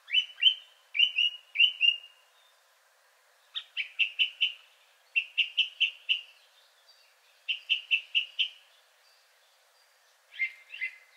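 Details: Male Song Thrush, the third of several, singing richly with nightingale-like sounds: clear phrases each repeated in twos, threes or fours, such as three matching fluty notes, then quick rhythmic bursts of four or five notes, divided by short pauses.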